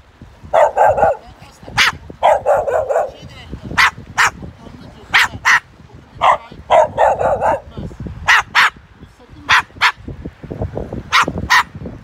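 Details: An umbrella cockatoo that learned to bark by conversing with dogs in a park gives harsh, dog-like barks, short hoarse bursts in quick pairs and clusters roughly every second, with a human laugh nearby.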